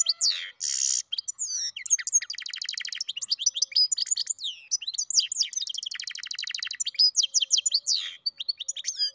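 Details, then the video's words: Mule hybrid of goldfinch and canary in full song: a long, fast medley of bright chirps and whistled slides broken by extended buzzy trills, its notes tumbling rapidly for over nine seconds. "καρδερινοκαναρο κελάηδημα (European Goldfinch carduelis mule singing)"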